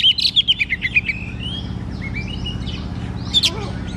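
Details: Song of a white-rumped shama used to prompt a quiet shama into singing: a quick run of descending whistled notes, then softer sliding whistles and a final burst of sharp high chirps over a constant low hum.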